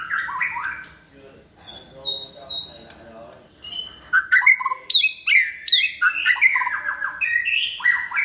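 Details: Caged second-season white-rumped shama, hand-raised from a nestling, a multi-voiced competition songster, singing varied whistled and chattering phrases. Some rise and fall steeply, with a pause near the middle and quick repeated notes toward the end.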